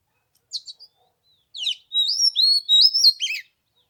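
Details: On the third day of Lunar New Year, with cold at 15 degrees, an oriental magpie-robin gives two short high notes, then a loud run of sweet sustained whistles rising and falling, ending in a quick downslurred flourish.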